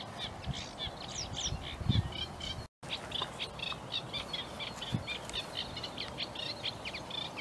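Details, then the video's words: Sedge warbler singing unseen at Broom Lakes near Biggleswade, Bedfordshire, on 26 April 2021, with reed warblers also singing there. A fast, scratchy chatter of repeated high notes runs almost nonstop, with a brief cut and low rumbling thumps underneath. "The Sound of Sedge Warblers & Reed Warblers"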